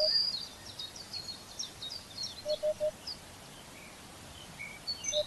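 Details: Eurasian hoopoe giving a soft, low, hollow triple 'oop-oop-oop' call. Thin, high chirps and twitters of other birds carry on throughout against a steady outdoor hiss.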